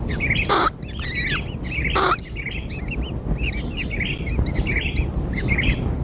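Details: As newborn kingfishers are given black insects, excited overlapping squeaky chatter pours out, broken by two loud rustling bursts near the start, over a low background rumble.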